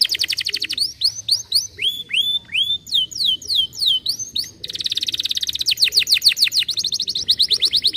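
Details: Canary song used to stimulate other lazy canaries to sing: rapid trilled phrases of repeated high whistled notes, some sweeping downward, others fast buzzy rolls, changing tour every second or two, no other sounds.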